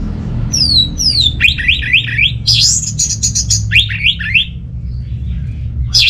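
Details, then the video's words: Orange-headed thrush song played to draw idle kept birds into singing, Bali: descending whistled slurs, then quick looping mimicking phrases and high trills in varied, fast sequence over a faint low hum. "ANIS MERAH Mau Nyaut Gacor❗❗❗Pancingan Ampuh Buat Burung Dirumah yang lagi Malas Bunyi"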